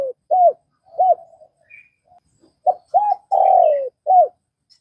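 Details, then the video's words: Vietnamese spotted dove giving spaced arched hoots, then a phrase of quick hoots capped by a long falling coo and a final rounded note, with a faint higher chirp once. "Tiếng cu gáy Việt"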